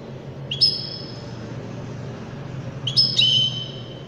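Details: Widani-style European goldfinch song with two separate phrases about two and a half seconds apart. Each is a sharp high note followed by a steady, thin whistled tone, set over a soft low rumble.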